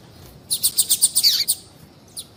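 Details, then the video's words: A female papa-capim seedeater calling, used to stimulate males to sing: a quick run of about eight high, thin chirps in one second, with one lone chirp a moment later. "fêmea de papa capim chamando"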